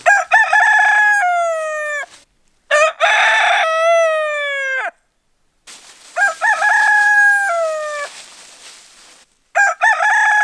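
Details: Rooster crowing meant as a wake-up alarm: repeated loud crows, each a stuttering start followed by a long, bright, gradually falling note, with short pauses and one fainter, rougher crow in the middle.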